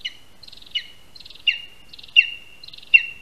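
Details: Lesser spotted eagle (Clanga pomarina) at its spruce nest in Latvia during a prey handover, with a rat as the first prey, 22 August 2021, early afternoon. A short buzzy stutter leads into a high, down-sliding yelp, repeated about every three-quarters of a second.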